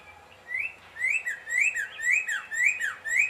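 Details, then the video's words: Cardinal repeating clear, upslurred whistles, about two each second, each rising then dipping slightly, over a faint low hum. "Cardinal Sound Effects"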